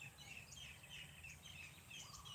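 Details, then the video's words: Morning bird calls on a farm garden in the Philippines, heard as relaxing: many thin, high chirps and short whistled notes overlapping in a busy chorus, with a steady low hum underneath. "Nakaka-relax yung mga huni ng ibon dahil gawa nga ng tuwing umaga."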